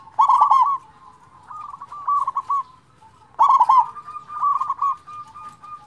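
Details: Local zebra dove with a big voice, a recording meant to lure and stir quiet doves into singing: two loud bursts of rapid, bubbling, trilled coos about three seconds apart, each followed by softer stuttering coo phrases.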